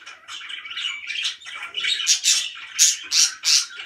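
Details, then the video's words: Budgerigars kept as pets chatter happily, soft warbling rising into loud, sharp chirps repeated about three times a second near the end. "VERY HAPPY BIRDS"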